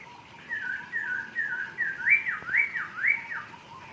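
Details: Masked laughingthrush singing in an aviary: a run of clear whistled notes, each sliding down and then rising, repeated about twice a second and growing louder and more looping toward the end.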